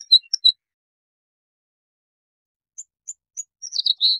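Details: Bluethroat song fragments: a couple of sharp high chirps, a long silence, then scattered thin notes building into a quick buzzy high phrase at the end.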